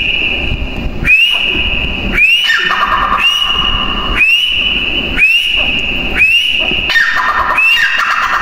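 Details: Teetar, the grey francolin, giving a series of piercing whistles. Each note rises quickly, then holds level, repeated about once a second. Rough lower notes overlap several of the whistles, and a steady background hiss runs throughout.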